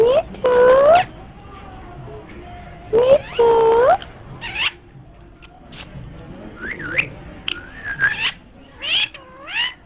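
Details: Parrot in India talking in Hindi: loud, clear tonal phrases with rising and bending harmonic notes, then a series of shorter whistled, swooping syllables, in a quiet room.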